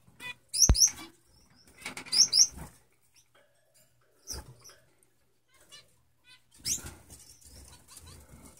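Male Gouldian finches give short bursts of thin, very high squeaky notes mixed with soft hissing, amid fluttering wings and rustling.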